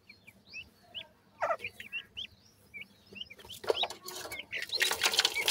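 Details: Teetar chicks uttering clear, high, downslurred peeps for the first seconds, several birds calling in quick succession, then rising rustling and scraping noise that largely covers the calls.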